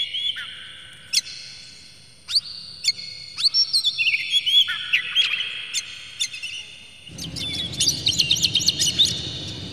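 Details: Oriental magpie-robin in an emotional display with its tail open, its song used as a lure for other magpie-robins. Separate whistled notes step down in pitch, then a rapid burst of chattering notes over a rough background hiss.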